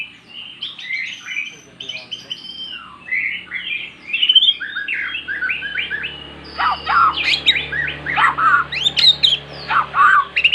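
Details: Kept magpie-robin that had stayed mute, now singing after hearing recorded song: a long varied warble of high whistles and chips, then loud sharp notes repeated roughly every half second, over a faint low hum.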